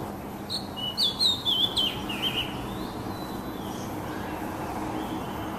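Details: Song of an oriental magpie-robin meant to soothe stressed birds: a short burst of varied whistled and warbled notes early on, then fading into steady low hum and background noise.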